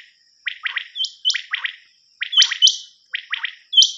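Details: Rain quail night cassette used for hunting: quick runs of three buzzy descending notes, each run capped by a high clear note, repeated about every second.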